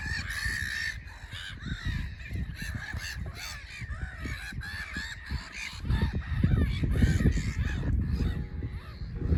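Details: Black-headed Gulls, pairing up at a nature reserve on a sunny spring morning, call together in a harsh, raucous chorus of rasping cries, about two a second, with noisy geese among them and strong wind rumbling underneath.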